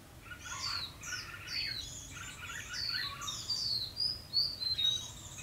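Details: Red-whiskered bulbul lure bird in a fight trap, 12 February 2016, pouring out its fighting song to provoke rivals: rapid, bright warbled phrases repeated about every second, with sharp down-slurred whistles growing louder toward the end.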